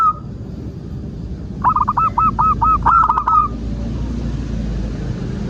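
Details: Zebra dove singing, played as a lure to prompt other doves to sing: one short run of quick repeated cooing notes midway, faint earlier note, steady low hum underneath.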